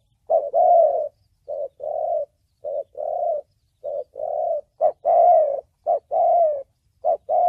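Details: Spotted dove calling in the thổ bầu voice style, used for luring wild birds to traps and training decoys: mellow, hollow coos in short and longer notes, repeated roughly once a second in a steady rhythm on a clean, quiet background.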